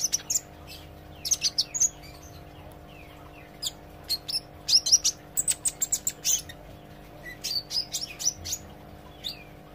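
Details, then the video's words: Olive-backed sunbird learning to sing, giving bursts of sharp, very high chirps and thin twittering notes in quick clusters with short pauses between them. A steady low hum runs underneath. "suara kolibri ijo belajar gacor & ngobra"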